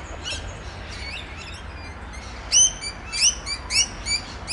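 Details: A Rainbow Lorikeet on the Olinda Creek Trail in Montrose, Victoria, chatters noisily to its companions: sharp, high, shrill chirps in quick uneven bursts, louder and closer together in the second half, over faint low background rumble.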